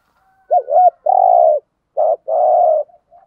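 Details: Spotted dove used as a decoy in the urging thúc gù cooing style to attract wild doves: a wavering double-hooked note, then a long even coo, followed by a short note and another sustained coo.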